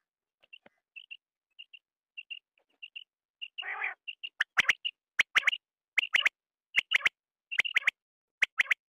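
A quail gives soft high chips that build into sharp, clicking, high notes repeated more than once a second, with one brief rougher burst midway.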